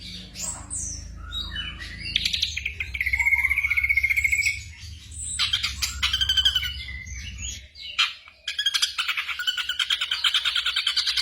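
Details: Black drongo song used as night-time tutoring for caged songbirds: varied chirps and whistles, a long buzzy trill held for about two seconds, then dense rapid chattering phrases, with a low hum underneath.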